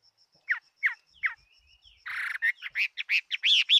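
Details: Fighting Chinese hwamei, 2018: a few spaced whistled notes, then a harsh buzzy burst leading into a fast series of loud, rising whistles.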